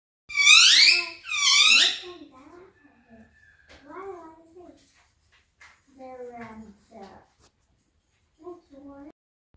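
An Indian ringneck parrot gives two loud, shrill screeches, then a few short, squeaky, speech-like phrases indoors.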